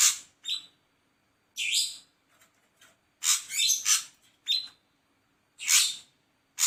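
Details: Ashy drongo giving loud scratchy, hissing notes, some slurred upward, with short bursts separated by pauses of about a second.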